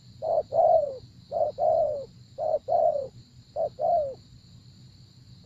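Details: Spotted dove calling during 'gác cu gáy' luring of a wild dove that avoids the lure. Four rhythmic couplets of low coos, a brief note then a longer downward-curving one, roughly every 1.2 seconds, with a faint high hum.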